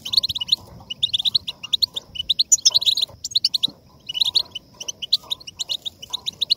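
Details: A goldfinch sings to stimulate singing in other goldfinches, delivering rapid bright chirps and twittering phrases, a few sharper high notes midway, then a short pause before chattering resumes.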